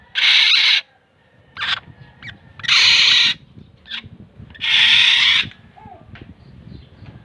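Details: Kilyawan, the black-naped oriole, uttering three long, loud rasping nasal calls about two seconds apart, with faint short chips and low background rumble between them.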